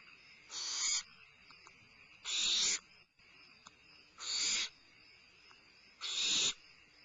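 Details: A limping barn owl owlet at Starr Ranch, having a midnight meal on 22 May 2011, gives four harsh, breathy hisses, each about half a second long and roughly every two seconds, over a quiet background.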